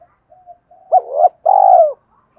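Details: Spotted dove cooing played to excite decoy birds: faint soft notes lead into a hooked coo, then a loud, long, pulsing coo that slides gently downward.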